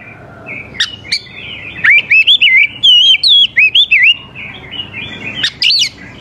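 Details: Energetic oriental magpie-robin song meant to draw young forest birds into singing back: a rapid chain of loud, looping whistled notes, each swooping up and down, with sharp clicks and chips at the start and end.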